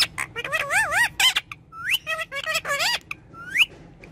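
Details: A pet talking parrot in a fully excited mood, speaking Hindi: a rapid run of harmonic, wavering speech-like syllables with rising and falling glides, then short clipped notes and a final rising whistled sweep, over a faint low hum.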